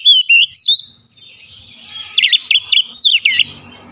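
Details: Oriental magpie-robin at home, singing: three clear whistled notes, a short pause, then a fast burst of looping, sweeping chirps.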